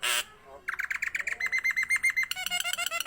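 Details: Highly vocal Nias hill myna used to prompt other birds and as a tutor recording: a loud harsh burst, then a fast string of raspy, buzzy notes on one pitch, ending in a quick rattling run of clipped squawky notes.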